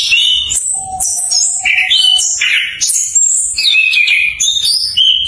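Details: Anis kembang, or chestnut-capped thrush, learning its full 'ngeplong' song, used to prompt stalled birds to sing: quick, high, ringing whistles and trills in changing pitches over a long, steady low whistled note early on.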